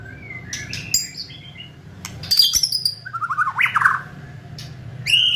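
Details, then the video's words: Gacor white-rumped shama song for a provoking kretekan: mixed high whistles and chips, a burst of loud, sharp notes, then a fanning run of quick rising and falling phrases, with low background hum. "Kretekan Gahar MURAI BATU GACOR ini untuk memancing Emosi dan mempercepat Ngeplong"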